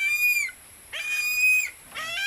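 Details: Philippine eagle, said to be hunting a barred rail (tikling), utters long, piercing, steady whistles with harsh edges, roughly two calls in two seconds, each sliding up at the start and falling at the end.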